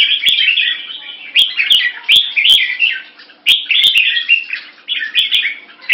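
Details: Red-whiskered bulbul, a caged bird raised in Singapore, testing an opponent with short 'keke' notes and tail slashing; rapid chattering bursts separated by short silences, with several crisp knocking clicks.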